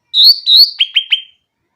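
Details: Clear grey-cheeked bulbul phrase, aimed at getting hesitant bulbuls to sing: two drawn-out high whistles, then three short, sharp notes dropping quickly, in a clean recording with no other sounds.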